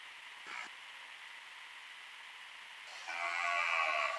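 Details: A Cocoi heron (Ardea cocoi) in the Pantanal, recorded by a camera trap, gives a brief harsh note, then a longer rough, grating croak over a steady background hiss.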